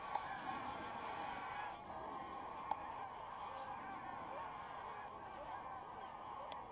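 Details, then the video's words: Large flock of geese taking off and landing at Wicken Fen and Burwell Fen on 23 September 2016 around 6 pm; a steady, dense chorus of overlapping honks with a few sharp clicks. "Lots of Geese take off & land"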